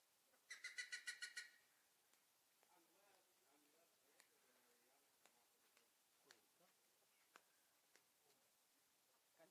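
Plumbeous Ibis gives a brief burst of about eight loud, harsh, shrill notes in quick succession, then faint murmuring sounds and scattered clicks follow.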